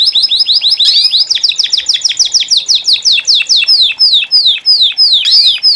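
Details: Saffron Finches (Sicalis flaveola) kept by breeders singing at the same time: a fast series of sharp, downward-swept chirps repeated about three times a second, overlapped by higher twittering from other birds.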